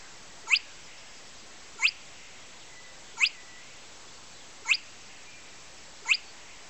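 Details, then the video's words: Spotted crake song: a sharp, whiplike rising 'whitt' repeated about every one and a half seconds against a quiet hiss. "Spotted Crake - song only"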